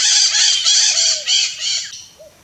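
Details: A wild red-shouldered macaw (Diopsittaca nobilis) in Brazil gives harsh, raspy screeches, about five loud, grating bursts in two seconds, ending in a short softer squawk.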